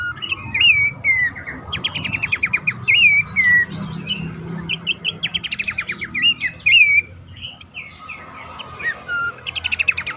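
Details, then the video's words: Bush warbler call played as a lure to get caged birds of the same kind singing, advised for dawn or night; rapid buzzy trills alternate with bright rising and falling whistled slurs, dense and continuous throughout. "pelanduk semak ngecall pancingan ampuh burung bahan,macet,stress,susah bunyi agar cepat ngeplong"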